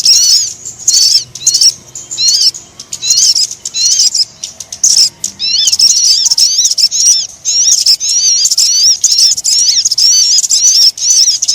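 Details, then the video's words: Bird-catching lure call of the sogon, meant to draw wary birds down: dense runs of high, sharp, wavering whistles and twittering strokes, repeated in quick bursts with brief pauses, giving a busy, piercing chatter throughout. "Suara Pikat Sogon Yang Susah Turun"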